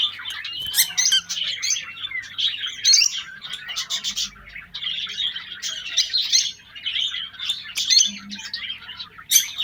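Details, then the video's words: Lovebirds in a breeding setup during the 2023 breeding season, caged: busy nonstop twittering and shrill chirps in quick irregular runs, with occasional sharper piercing notes over the rapid chatter. "lovebirds jora masti breeding season || 2023season chirping sound"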